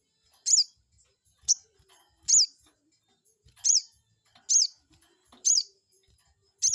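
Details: Crested jay calls played to provoke an opposing bird into answering: seven loud, sharp, high-pitched chips with a quick falling inflection, spaced about a second apart, otherwise near silence.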